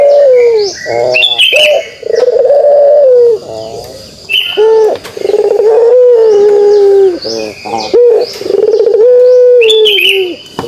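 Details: Pelung dove giving its kugeruk call: long, sustained, vibrating coos at a steady mid pitch, each lasting one to three seconds, repeated with short breaks. Smaller birds chirp high and sharp in the background.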